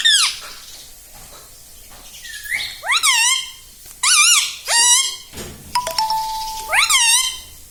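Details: Talking pet rose-ringed parakeet repeating "mummy", giving separate harsh, nasal, bending syllables in bursts about a second apart, with a short steady tone in the middle and quiet pauses between.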